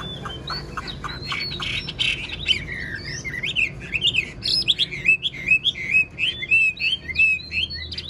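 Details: Caged Chinese hwamei, an old bird taken from the wild and admired for its superb singing, gives a lively stream of wavering whistles and sharp slurred notes that grows louder and busier toward the end.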